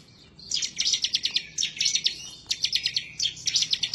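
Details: Fierce, chatty song of a 'semi' bar-winged prinia looking for a rival: four short bursts of fast, bright, high ticking notes, each about a second long. Used to coax other birds into song.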